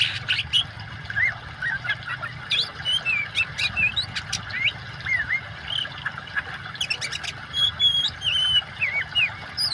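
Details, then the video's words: Oriental magpie-robin in active song layered with water noise as a training track: scattered sharp chirps, high thin whistles and curling slurred notes, with pauses between bursts and steady flowing water throughout. "kacer gacor kombinasi suara air cocok buat terapi burung macet"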